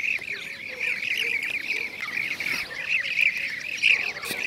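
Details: Blue-cheeked bee-eaters in Şanlıurfa, Turkey, 2016, keep up a steady chorus of trilled, rolling calls, several birds overlapping, with some louder notes standing out toward the end.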